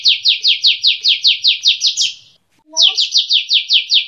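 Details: Kapas tembak bulbul kept by an owner, repeating sharp downslurred notes at a steady quick pace, pausing briefly, then resuming, with a faint low human sound in the gap.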